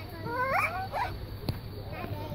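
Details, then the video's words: A macaw, kept as a talking parrot in Bulgaria, gives a quick run of harmonic, speech-like notes that rise and fall over about two seconds, with a steady low hum behind. "Папагал Ара - Говорещи папагали"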